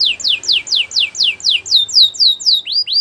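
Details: Canary song meant to get other canaries singing: crisp downward-sweeping whistles repeated about twice a second in an even series, closing with two rising notes.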